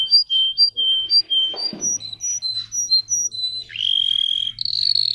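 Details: Song of a Russian canary bred for singing: high whistled notes alternate between two pitches in a steady rhythm, then shift to a new repeated note and end in a bright, buzzy trill.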